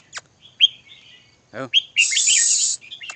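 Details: Red-whiskered bulbul singing: short clear whistled notes and brief warbled phrases, then a long harsh buzzy burst near the end. A sharp downward click-like note opens the recording.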